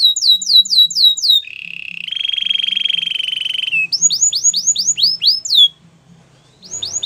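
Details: Canary song used to train other canaries: rapid repeated down-slurred whistles, then a long buzzy trill held about two seconds, followed by fast rising chirps and a brief pause.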